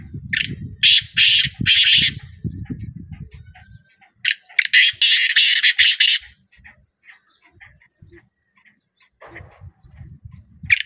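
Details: Two bouts of rasping black francolin calls, each a rapid run of harsh buzzy syllables, separated by a pause, over low rumbling background noise that fades and returns.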